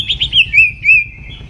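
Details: Morning voice-training song of a white-rumped shama, made of quick bright whistled notes, first two short rising chirps, then three longer slurred whistles.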